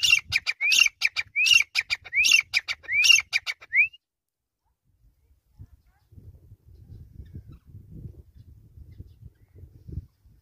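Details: Grey francolin (teetar) call series: four rapid phrases of rising whistles and harsh stuttered notes in the first four seconds, ending on a lone whistle. Silence and faint low rustling noise follow.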